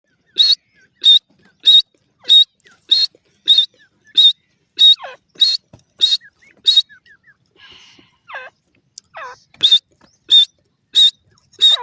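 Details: Grey francolin (teetar) calling loudly: sharp, shrill notes repeated steadily about every 0.6 seconds, with a short pause of softer, twisting notes midway before the rhythmic series resumes.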